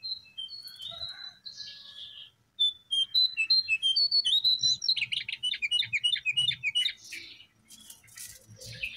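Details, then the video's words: Wild babbler, locally Jongkangan or Cingcoang coklat: scattered whistles give way to a rapid, even run of loud high chirps, several each second, then softer scratchy notes. "Burung Jongkangan /Cingcoang coklat Di alam Liar"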